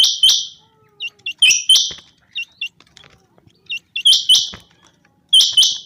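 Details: Common quail calling from a summer meadow. Bright double notes come in groups, each led by soft quick pips, and the groups return every one to two seconds. The background is quiet.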